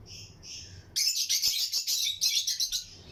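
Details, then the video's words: Pairs of lutino lovebirds in a colony aviary: two soft high squeaks, then a sudden dense burst of loud, shrill chattering notes pulsing rapidly for about two seconds. "Lutino Lovebirds Breeding Colony Cage - Chirping and Relaxing Sound"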